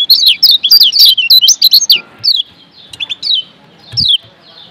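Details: Lombok yellow white-eye (kecial kuning) song used as tutor audio for training sluggish caged birds to sing persistently: rapid, high, sweet chirping twitters in quick bursts for two seconds, then scattered short notes with pauses.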